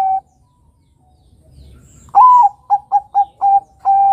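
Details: A zebra dove (perkutut, Geopelia striata), Bangkok type, gives a soft, mellow cooing phrase: a longer opening coo, four quick staccato notes and a final held coo, all at one low pitch, with music in the background.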